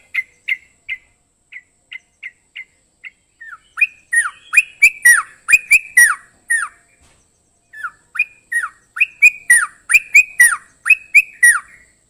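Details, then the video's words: Sooty-headed bulbul song opening with a few quiet evenly spaced chirps, then loud bursts of rapid bubbly down-slurred notes in two main outpourings. "KICAU TRUCUK DJAWARA"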